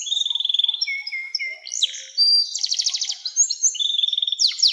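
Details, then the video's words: Canary delivering long song as a lure for young canaries: quick high trill, lower steady whistled notes, then a loud buzzy rapid trill and rising sweeps. "SUARA KENARI NEMBAK PANJANG‼️cocok buat pancingan kenari muda dan masteran burung"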